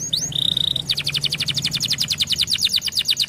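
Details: Canary song: a brief rising slur and a flat high whistled note, followed by a long rapid trill of evenly repeated high notes; low background hum.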